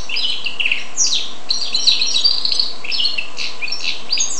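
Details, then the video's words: Goldfinch and canary hybrid singing a fast, continuous twittering song of high buzzy trills and sharp chirps, with a few rapid downward-swept notes, heard indoors without other sounds. "carduelis carduelis x canaria"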